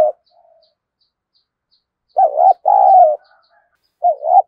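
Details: Spotted dove kept as a decoy to incite fighting: a mellow wavering coo phrase with a long held note, then the start of another, faint high ticking in the background.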